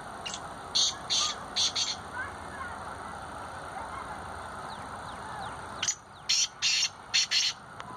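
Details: Black francolin calling in Sindh, Pakistan; a harsh, rhythmic series of short grating bursts in two phrases of about four to five notes each, over steady background hiss.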